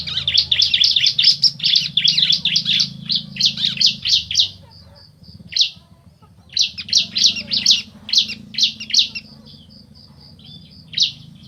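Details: Male and female bar-winged prinia answering each other: rapid bursts of sharp, high chirps run together in quick series, pausing briefly between volleys, with a faint steady high pulsing tone and low hum behind.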